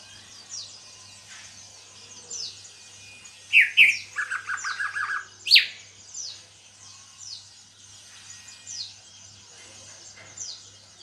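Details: Greater green leafbird in a cage, newly back in song after molting, gives a short burst of sharp down-slurred whistles and a rapid buzzy rattle midway. Faint chirps from other birds continue throughout the background.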